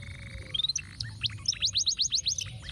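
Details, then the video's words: Canary 'lagu ruwet' tutor song fragment: a short rising whistle, then a quick run of about eight sharp upswept chirps, against low hum. "Masteran Kenari Lagu Ruwet"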